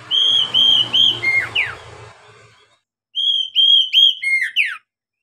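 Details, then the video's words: An Oriental magpie-robin, used as a lure to get novice birds singing, gives two bursts of rich, clear whistles, steady notes ending in quick downslurred and buzzy flourishes, with a soft low hum behind the first. "SUARA KACER buat PANCINGAN KACER PEMULA agar cepat gacor"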